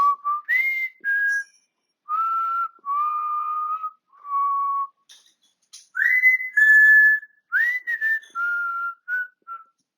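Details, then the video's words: Pet African grey parrot whistling away indoors: a series of clear held notes at varying pitches, some swooping upward, separated by short pauses, forming a repeated tune-like pattern. "My African Grey Parrot Whistling Away"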